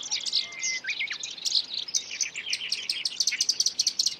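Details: Black-browed reed warbler caught on film seizing an insect; opens with a thin whistled note and quick upslurred chips, then a fast rhythmic chatter of sharp, ticking and buzzy notes that speeds into a rattling series.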